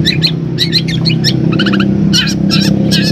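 Long-tailed shrike giving quick, harsh chattering bursts of mimicked notes, about two per second, over a steady low traffic hum.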